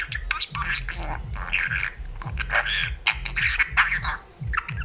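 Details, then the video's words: Talking budgerigar chattering, with raspy, speech-like warbled phrases broken by brief pauses over a steady low rumble. "grasparkiet lekker aan het kletsen. talking budgie"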